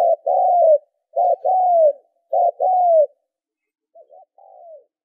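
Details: Spotted dove calling, as a lure for training decoy birds: three rapid phrases, each a clipped note then a sustained descending coo, followed by a softer, fainter phrase after a gap; no other sounds.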